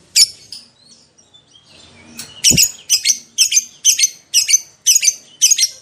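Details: Lovebird calling, from a lure recording meant to make other lovebirds respond: a single sharp high chirp, a quiet pause, then a string of shrill, clipped double-noted chirps repeated roughly every half second.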